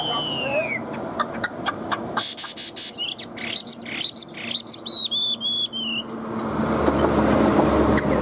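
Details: Caged Chinese hwamei, a songbird described as fired up, gives a falling whistle, then a run of rising whistled notes and a quick repeated trilled phrase, with rising background noise at the end.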